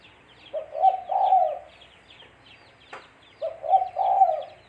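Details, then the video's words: Cooing of a spotted dove, played to lure birds for trapping: two low, throaty phrases of a quick note and a drawn-out purring coo, separated by a sharp click, with small birds chirping faintly. "Suara Burung Tekukur-Suara Tekukur Buat Pancingan Mikat"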